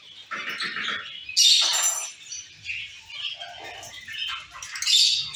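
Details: Chattering from a caged zebra finch colony, with nasal mid-pitched calls mixed among high chirps; loud bursts come early and again near the end, with faint low rustling beneath.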